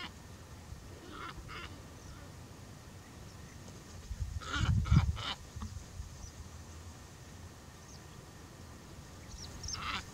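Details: Glossy ibis at Alykes Kitros, Pieria, Greece, in April 2021, giving a short burst of three hoarse, grating croaks near the middle, with fainter rasping notes before and after over low background rumble.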